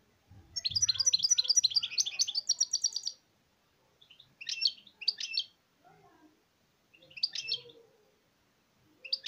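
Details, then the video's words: Singing European goldfinch, apparently kept as a pet indoors: a fast tinkling, twittering burst for nearly three seconds with a faint low rumble beneath, then short high chirpy phrases every two to three seconds. "تغريد الحسون نار"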